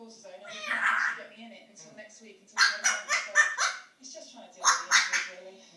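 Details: Pet parrot imitating barking and meowing, recorded 21 February 2010: a drawn-out, nasal, meow-like cry, then rough, rapid bark-like bursts in two clusters, with faint speech-like chatter between them.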